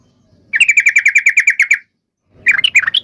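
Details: Yellow-vented bulbul giving a fighting song used to provoke other bulbuls into replying. A fast, even run of about a dozen bright, clipped notes is followed after a pause by a short, warbled chatter.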